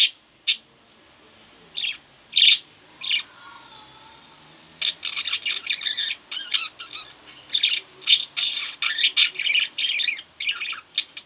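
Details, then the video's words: Pet budgerigars, two birds kept indoors, give scattered sharp chirps, then a long, fast, chattering sequence of bright, buzzy high notes with brief gaps. "Budgie Birds Extravaganza-Relax With My Budgies"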